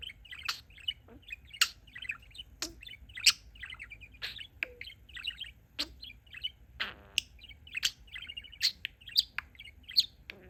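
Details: Male pet budgerigar known for talking and mixing favourite phrases, here warbling steadily: quick bursts of high clicks and chirps broken by sharp ticks roughly every second, with one buzzy note midway.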